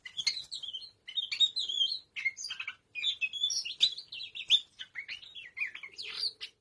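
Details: A tame kacer, or oriental magpie-robin, sings in ngobra fashion: a continuous stream of quick warbled and whistled notes, jumpy in pitch, interspersed with scratchy clicks and a few brief gaps.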